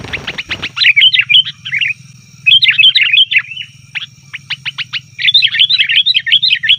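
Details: Noisy 'ribut' chatter of a sooty-headed bulbul, used to call in wild birds: a rattling clatter opens, then dense fast strings of bubbly, warbled chirps in phrases separated by short pauses, low hum throughout.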